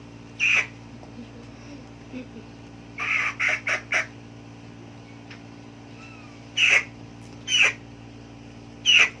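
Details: Chicken making scattered short, harsh clucks and squawks, singly and in a tight cluster of four, separated by quiet pauses, with a faint background hum.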